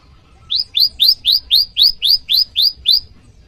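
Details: Prenjak lumut, the bar-winged prinia, giving its rival call used as lure and training audio: after a quiet start, ten clear, upslurred chirps in quick even succession.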